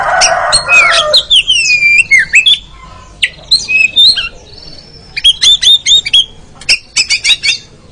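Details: Oriental magpie-robin in a training recording for ngeriwik singing: a harsh rasping squawk opens, then fluid swooping whistles, a pause, and quick runs of sharp repeated chip notes, over a faint low hum.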